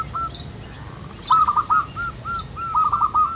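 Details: Local wild zebra doves singing in nature. After a lone coo, a quick bubbling burst is followed by spaced single coos, then a rolling run of notes. Faint high chirps sound in the background.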